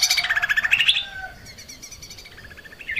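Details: Lesser green leafbird song used to train cage birds. Loud, fast, warbling chirps run for the first second, then a softer, continuous trill follows, ending in a rising note.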